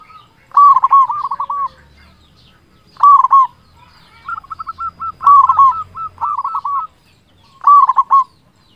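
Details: Local zebra dove in full song, loud-voiced, used as a lure for other zebra doves: four loud cooing phrases, each a quick run of rolling hooted notes, spaced about two seconds apart, with quieter cooing from another dove between them.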